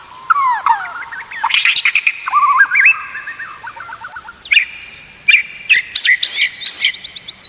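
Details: Song of a white-rumped shama from a recording played to train other shamas to sing: looping whistles and harsh bursts, a stuttering run of falling notes, then loud separated high phrases.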